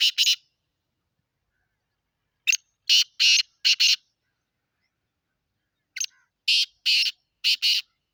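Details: Black francolin from Sindh, Pakistan, giving repeated harsh, scratchy call phrases: groups of three to four rasping notes each, starting at the beginning, then at two and a half seconds, then again near six seconds, separated by silence.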